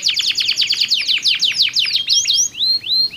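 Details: One of two domestic canaries trading song, with distinct voice colours: a quick series of downward-sweeping notes about three per second, ending in slower rising whistled slurs.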